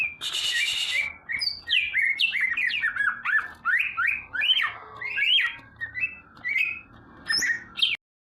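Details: A leafbird (burung ijo) opens with a harsh noisy burst, then sings a fast series of bouncing, rising and falling chirps and whistles that gradually slow and thin out.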